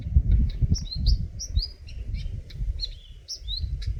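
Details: Eurasian nuthatch chirping: clear, high, slurred whistled notes repeated in quick irregular bursts, some sliding downward, set against a heavy low rumble like wind or handling noise.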